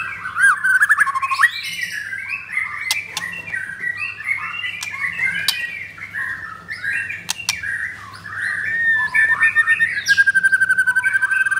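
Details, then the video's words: White-rumped shama, a ringed bird kept for sale in Kemayoran, Jakarta, Indonesia, singing vigorously: a rich run of varied whistled and chattering phrases near one pitch band, ending in a fast, evenly repeated ringing trill; a low steady hum underneath. "Murai Batu Pastol Blorok Extreme Double Ring Apbn Bnr Gacor"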